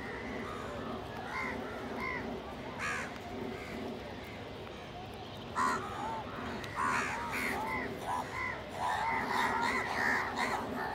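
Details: Crows gathered and feeding together alongside a pigeon, competing for food. Hoarse, arching caws come in loose clusters, sparse early and then dense bursts in the second half, over steady background rumble.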